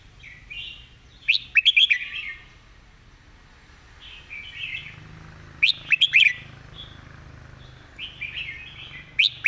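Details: Caged red-whiskered bulbul singing a repeated master song; short bright warbled phrases with sharp clicking notes, separated by pauses of a few seconds, over a low background rumble.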